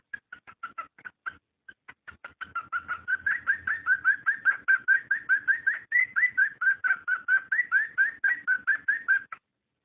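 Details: Cockatiel calling to stimulate mating: a near-continuous run of fast, evenly spaced whistled chirps, about two or three per second. They start soft and grow louder, some notes rising at the end.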